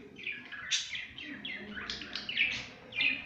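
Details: Playing pet budgerigars warbling continuously, a dense stream of quick scratchy chirps and bright rising and falling notes, fairly loud throughout with little background sound.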